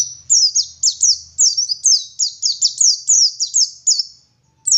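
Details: Oriental white-eye of the local dakun type from Garut, West Java, singing in the lively 'gacor ngalas' style with 'wit wit' notes joined to 'ngeriwik' phrases; a rapid run of high, thin, downslurred whistles, about three per second, over a quiet background.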